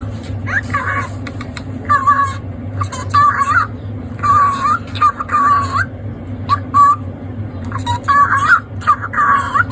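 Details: A one-year-old lutino cockatiel that talks well but rarely sings chatters short, reedy speech-like phrases of self-praise echoed off a wall, with odd intonation while practising words such as "oishii na", between bright whistled notes.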